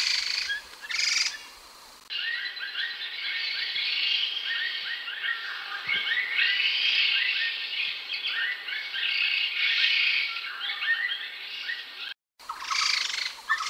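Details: Grey-headed laughingthrush, locally known as ground laughingthrush or dog laughingthrush, in a long, busy run of tumbling, chattering notes, rich and varied, with brief louder bursts at the start and end and a sharp cut near the close.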